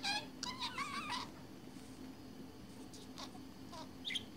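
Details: Pet budgerigar indoors, immersed in its own world, opening with a quick wavering warble of stacked notes that fades into near quiet broken by a few soft chirps.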